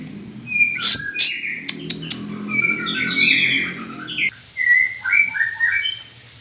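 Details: Loud, lively white-rumped shama song with sharp clicking notes, fluty slurred whistles and rapid chattering runs, then a quieter close of bright, separate whistled notes.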